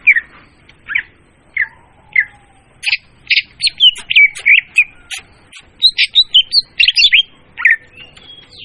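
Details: Leafbird singing a lure song used in trapping, clear and loud: separate slurred whistles at first, then a busy, varied stream of sharp chips, trills and high whistled phrases.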